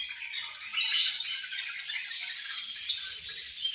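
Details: Caged budgies at food time produce a continuous, bright, rapid twitter of overlapping chirps that swells slightly after the first second.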